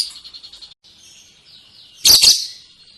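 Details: Lovebird giving its ngekek song: a thin high rattling trill that fades out, then after a pause a loud harsh double burst of chattering notes.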